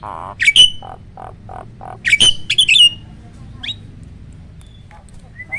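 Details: Pied and black-winged starling hybrid, kept as a singing tutor, bursts out with two loud squawking phrases ending in high whistles. Soft repeated low notes lead in, then quieter whistles follow.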